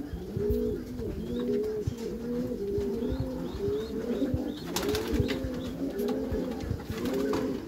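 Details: Meulemans racing pigeons kept in a backyard loft coo continuously, many overlapping bowed phrases repeating roughly every half second, a steady low murmuring chorus with a brief clatter midway.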